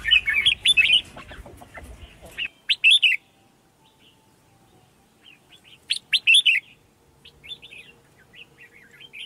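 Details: Female red-whiskered bulbul giving calls meant to excite males into song. Short bursts of bright, slurred whistles are separated by long quiet gaps, and a faint steady hum runs beneath the later part.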